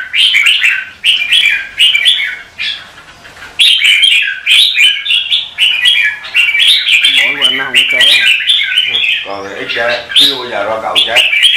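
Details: Red-whiskered bulbul in morning competitive-song practice: continuous sweet whistled phrases repeated in quick succession, with a human voice talking quietly in the background during the second half.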